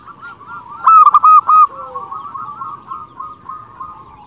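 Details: Zebra dove song from a local bird, for attracting other zebra doves. A brief loud flurry of four or five quick coos, then steady lower-level bubbling trills continue to the end.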